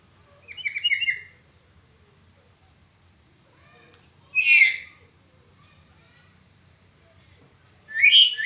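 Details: Black-capped lory giving 'broken voice' calls used to train other birds: three short, harsh, rasping bursts spaced about three and a half seconds apart, separated by near silence.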